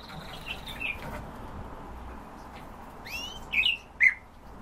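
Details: Eurasian bullfinch on a sunny day, giving a few soft, short, slightly falling piping whistles, mostly bunched near the end, over a low steady background rumble.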